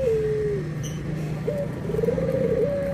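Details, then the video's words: Puter (Barbary dove) anggungan coo, white versus brown doves compared: a long gently falling note, a short high blip, then a quavering phrase flattening into a level tone, over a noticeable low droning hum. "PERBEDAAN SUARA ANGGUNGAN BURUNG PUTER PUTIH DENGAN PUTER COKLAT"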